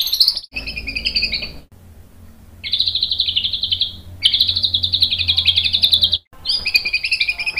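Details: White-rumped shama song used as a lure to provoke a reply, with buzzy, rapid trilled phrases repeated in bursts of one to two seconds separated by short pauses, over a faint low hum.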